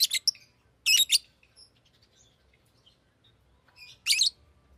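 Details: Shrill chirping from a pet Fischer's lovebird: a rapid pair of harsh, high squeaks, a pause with faint soft twitters, then one loud buzzy screech near the end, indoors.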